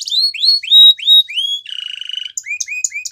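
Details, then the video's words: Short stretch of Belgian canary training song: slurred rising whistles, a buzzy rolling tour, then clipped rising notes repeated in quick succession. "Canary Training Song Video | Belgian Canary Singing"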